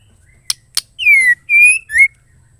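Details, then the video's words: Female white-rumped shama calling, a sound said to make silent or reluctant males start singing; two sharp dry clicks, then three clear whistled notes: a long downward slur, a steady level note, and a short rising-falling whistle. "BUKTIKAN SEMUA MURAI BISU LANGSUNG AUTO BUNYI DENGAR SUARA MURAI BETINA GACOR"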